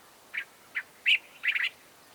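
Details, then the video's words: Cape bulbul in Southern Africa giving two short introductory notes, a strong slurred whistle and a closing burst of rapid liquid chattering notes, with little background noise. "Cape Bulbul"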